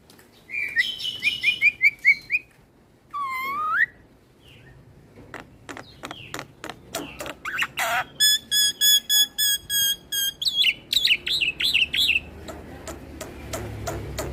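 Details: Black-winged starling (jalak putih) singing in full continuous 'ngeroll' style while nodding, a song said to provoke other starlings: whistled upslurred notes, a falling slur, then dry clicks and fast buzzy repeated phrases.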